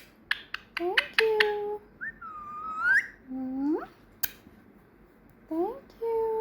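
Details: Pet female parrot, trained for months, that now whistles besides saying learned words. Quick clicks and short chirps lead into sustained whistles, some slurring upward, others falling, with steady low room hiss throughout.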